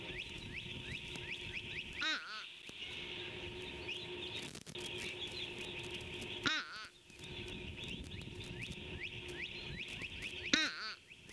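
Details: Fish crow on a Skidaway Audubon webcam at 9:2x on 26 February 2019 gives three short, nasal, hoarse calls about four seconds apart, over a steady chorus of chirping songbirds.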